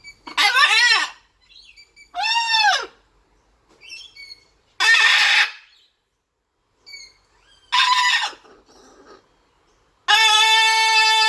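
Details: Playful pet blue-and-gold macaw squawking loudly: five or six harsh, arched screeches about two seconds apart, the last a long flat blaring call, with short quieter squeaks between them.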